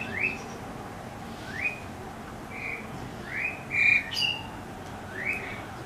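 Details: Asian Pied Starling (Pied Myna) visiting a backyard early in the morning, calling loudly enough to wake the household: a series of short, bright, rising whistled notes, about six over six seconds, with faint steady background hiss.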